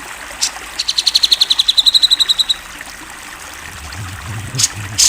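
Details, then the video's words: Grey-cheeked bulbul, a national champion, giving a fast trill-like run of high chips lasting under two seconds, followed by quiet with low rumbling and a sharp noise at the end. "MASTERAN CUCAK JENGGOT GACOR SUARA JERNIH! JUARA NASIONAL!"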